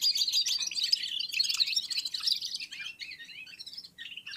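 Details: Red-fronted serins warm up in chorus with other birds, giving rapid, bright twittering that thins toward the end into scattered chirps.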